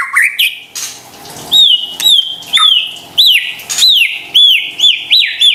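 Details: White-rumped shama singing a lure song meant to make sluggish birds respond: a sequence of loud high whistled notes, each sharply rising then dropping, repeated about every half second after a brief varied opening.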